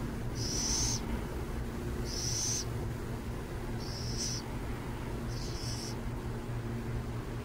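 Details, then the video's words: Near San Jose, burrowing owls give four high, raspy, hiss-like bursts, each about half a second, spaced about one and a half seconds apart, against a constant low rumble of background noise. "Burrowing owls near San Jose"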